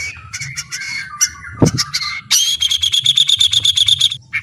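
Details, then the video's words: White-rumped shama song, dense and complex: scratchy jumbled notes and high whistles, a sudden low thud near the middle, then a run of rapid, regularly repeated high buzzy notes before a final short phrase. "MASTERAN MURAI BATU TERBAIK...MASTERAN PARA JUARA"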